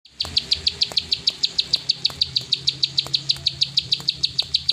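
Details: Plain prinia, a rice-field prenjak, singing in the fast 'klik ngacor' style: sharp high clicking notes repeated steadily about three times a second throughout, with faint low rumble beneath.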